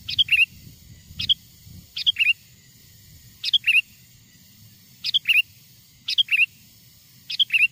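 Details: Wild sooty-headed bulbul lure song for attracting wild birds: about eight short chirpy phrases with a warbled downward twist, repeated at uneven intervals of about one second, over faint low noise.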